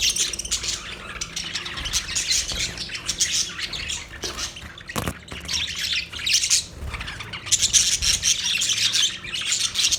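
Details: Budgerigars chirping and squawking together in a steady, high, buzzy chatter of rapid irregular notes, with one sharp knock midway.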